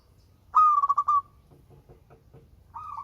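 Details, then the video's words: Melodious local zebra dove cooing: one loud rolling phrase of rapid pulsed notes that fades into a soft trill, then faint ticking sounds, and a second coo starting at the end. "Perkutut LOKAL SUARA MERDU"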